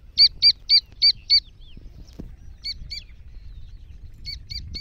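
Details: Calls of an Iranian black francolin, given as a female's excited voice and a chick's voice. Five loud high whistled notes in quick succession are followed by quieter groups of two and three. Faint background noise is heard between them.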